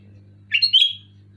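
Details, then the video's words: A single loud Sooty-headed bulbul phrase: a rising chirp and then a bright, bubbly double whistle, over a faint steady hum. "Suara burung kutilang gacor keras jelas"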